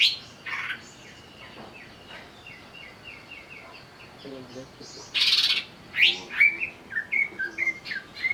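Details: Greater green leafbird goaded into agitated song. A quiet run of short repeated whistled notes gives way to loud harsh bursts and rising, clipped whistles.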